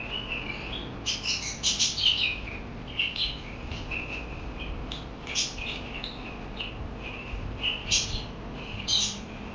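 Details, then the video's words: Parakeets chirp in quick, high bursts of scratchy twitters and squeaks, clustered every second or so over a steady low background hum. "Lovely birds Chirping Sounds Parakeet"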